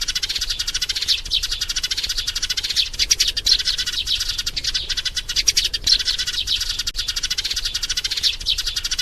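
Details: Maturing sparrow, described as heartbroken and calling in vain for a mate, used as a glue-trap lure: nonstop rapid chattering chirps, densely overlapping and high-pitched, in bursts that swell and ease over nine seconds.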